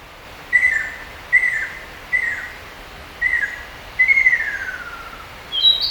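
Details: Ruddy kingfisher (Halcyon coromanda) spring-to-early-summer song: four short, falling whistled notes about a second apart, then a longer trill sliding steadily downward; a brief higher note from another bird closes the clip.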